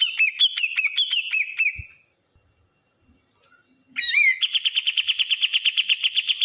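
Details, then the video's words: Bulbul, local name kapas tembak, in a noisy calling bout: a row of about eight quick, hooked, falling whistles, a lull, then a rising note and a sustained rapid rattle of bright repeated pulses. "burung kapas tembak suwara bising"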